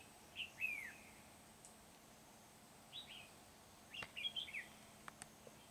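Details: Red-whiskered bulbul at Núi Đá, 16 February 2019, singing as a lure bird is used for trapping: a series of short, clear, warbled phrases a second or two apart, the last a quick run of notes, with soft clicks and background hiss.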